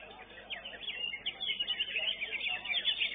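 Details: Greater green leafbird at a songbird contest, placed fifth, singing a dense, rapid run of high chattering and whistled notes, with other birds and faint crowd voices behind it.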